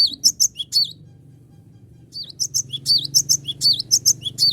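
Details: Cinereous tit singing to challenge rivals, a lure recording: a short burst of sharp high chirps, a pause of over a second, then a dense, quick series of ringing notes and curling slurs, with a low humming background.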